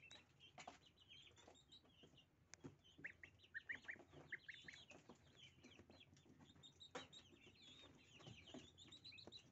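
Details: Little goslings at breakfast eating dill, giving scattered thin rising peeps that grow busier midway, over soft rustling and pecking taps at low level.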